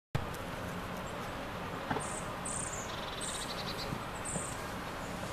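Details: Treecreeper at Linacre giving four very high, thin, short 'tsree' notes about a second apart, over steady low rumbling background noise.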